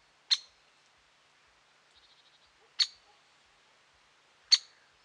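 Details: Great spotted woodpecker by Lake Tavatuy, Middle Urals, 17 June 2017, giving three abrupt, high 'kik' notes spaced two to three seconds apart, with a faint soft twittering between them.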